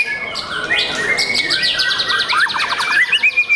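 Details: Young caged white-rumped shama giving rich song: a long drawn whistle, then fast repeated clipped notes, about four a second, rising in short bright strokes, with some fainter overlapping chirps.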